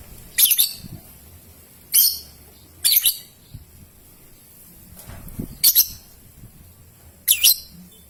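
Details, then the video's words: Lure sounds of a young lovebird aimed at triggering long ngekek and ngetik; six sharp, shrill chirps at uneven gaps of about one to two seconds, some with bent, sweeping tails. "LOVEBIRD PAUD, PASTI BAKAL BUNYI NGEKEK NGETIK PANJANG"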